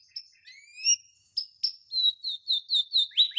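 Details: Softer canary phrase from a tutor recording for other canaries: thin rising whistles and a held note, followed by about eight evenly spaced bright chirps.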